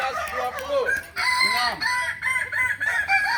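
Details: Kukuak Balenggek roosters at a practice crowing contest, Ampang Kualo, Kota Solok, May 2024: broken series of bright, stepped crow notes in short pulses, several birds overlapping, with hall noise.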